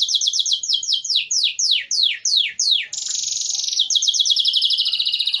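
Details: Belgian canary song used to train chicks: a run of descending slurred notes that lengthen and slow, then a fast high buzzy roll and a rapid trill.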